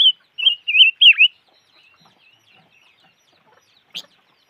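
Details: A bird known locally as noog rheeb or chim ngũ sắc: four loud, wavering whistled notes in quick succession over about a second, each bending and dipping, then near silence broken by one sharp click.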